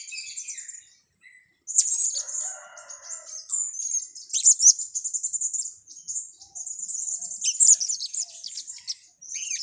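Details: Blue-crowned hanging parrot lure recording for trapping: continuous shrill high chattering, with rapid runs of sharp chirps and squeaks that come in pulses across the clip.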